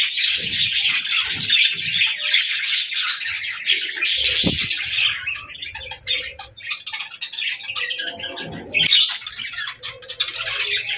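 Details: Dense, continuous scratchy bird chatter with rapid chirps. Scattered low taps and thuds are heard beneath it.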